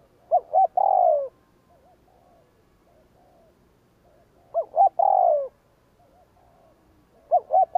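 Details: Spotted dove giving its 'gù kích' coo, a call played to provoke wild doves: three phrases about four seconds apart, each two short rising-falling notes then a long, slurred, descending coo, with faint softer coos between.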